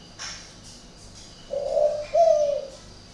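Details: Spotted dove from a breeding garden in Ba Vì, Hanoi, with an unusual voice. After a short quiet spell with a faint tick, one husky coo is followed by a longer, gently falling second note.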